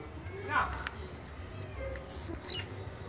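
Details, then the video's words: Blue-black grassquit song: one brief, intense, high buzz sliding downward, preceded by a faint lower chirp and steady low background hum. "Canto de Chirrio (Volatinia jacarina)"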